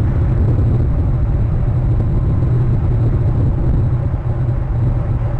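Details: Heavy low rumble and hiss run unbroken throughout, with no calls from any animal.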